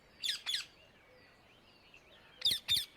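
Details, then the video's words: Wild Indian ringneck parakeet in nature gives two pairs of loud, grating shrieks about two seconds apart. Faint chirps from other birds sound between them. "Indian ringneck parrot in nature 8 صوت الببغاء الدرة في الطبيعة"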